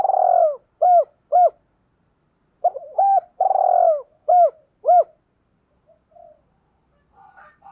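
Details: Spotted dove used as a decoy to attract wild birds, giving two cooing phrases, each a long vibrating coo followed by two short, falling coos. The second is preceded by quick stuttered notes, and faint soft sounds trail off afterward.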